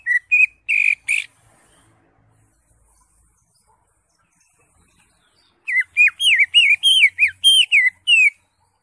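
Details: Green leafbird in lively song to prompt a caged bird: a few short whistles, a pause, then a rapid chattering run of about a dozen rising and falling whistled notes.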